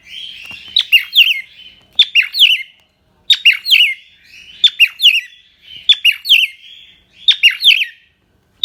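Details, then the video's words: Cockatiel kept as a pet in Indonesia singing a chattering warble. Clusters of sharp chirps run into quavering, bending whistles, and the phrases repeat at irregular intervals of about one second. "Burung Parkit Australia / Cockatiel"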